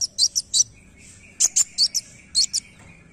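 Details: Dark sunbird, known locally as kolibri wulung, giving sharp high chirps in short bursts of two or three, paired notes spaced irregularly over about three seconds, with a faint steady thin tone running underneath.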